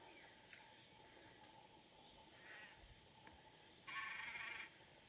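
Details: Great crested grebe on the Nemunas in Lithuania: short harsh, buzzy nasal calls, one faint and one longer grating burst near the end, over steady background noise.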